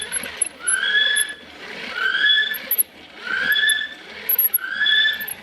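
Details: A recorded call of a male North Island brown kiwi, played from a wind-up machine by a bridge on a night nature walk in the Bay of Plenty, gives shrill, rising whistles about every one and a half seconds over a soft hiss.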